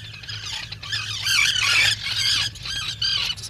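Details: Black guillemot calling at its nest burrow, a seabird that comes ashore once a year to breed; a dense, squealing run of high twittering whistles, rising and falling, over a low steady hum.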